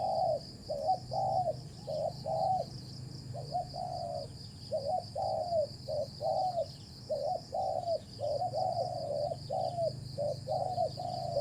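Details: Spotted dove cooing during decoy trapping, a wild bird praised for its fine voice: a long run of low, hollow coos in uneven groups of two and three, with a continuous high insect drone and low hum.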